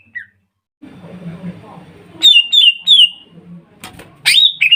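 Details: Lure song of a greater green leafbird meant to get kuningan and ombyokan leafbirds singing: faint low noise, then three loud slurred whistles falling in pitch, a pause, and a sharp high sweeping call.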